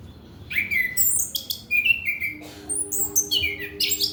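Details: Orange-headed thrush song aimed at stimulating young males still untrained: quick bright whistles and high chattering notes in short bursts, with a faint steady low hum entering halfway through.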